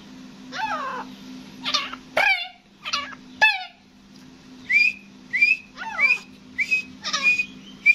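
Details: Grey francolin, a hunting decoy bird, gives loud harsh whistled notes, first sharply falling, then rising and clipped, about one each second, over a steady low hum.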